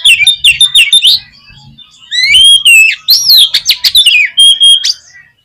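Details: Oriental magpie-robin song, played to make a kept bird sing and show its repertoire: rapid loud chips and whistles, a short pause, then sweet slurred whistles mixed with sharp clicking notes.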